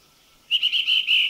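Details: Rufous-fronted babbler in a Thai national park: first a grating, churring call, then a fast hooting whistle of five or six clear, high, evenly spaced piping notes, slightly quickening, against a quiet background.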